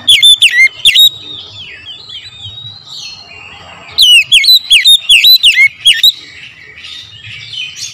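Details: Oriental magpie-robin in the morning, recorded as a song lure: loud, sharply swooping whistles in two bursts, the second a fast run of about eight notes, with soft warbling between.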